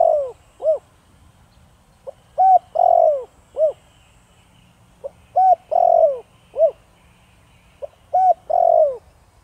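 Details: Spotted dove singing in the Thổ Đồng voice style, used to lure and provoke wild doves; three full phrases, each a soft pip, a clear arched coo, a long buzzy falling croo and a short rounded coo, repeated about every three seconds.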